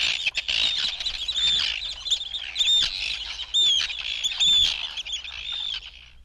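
Arctic Tern giving harsh, high, grating calls with sharp rising and falling notes, several birds overlapping in a steady chattering stream.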